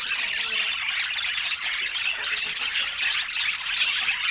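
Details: Pet budgies in a busy chorus of overlapping high chirps and scratchy warbles, steady in loudness throughout.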